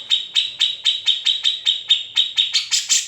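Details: Grey-cheeked bulbul master song for songbird training: about a dozen evenly spaced, piercing high notes over three seconds, ending in a couple of harsher, broader chips.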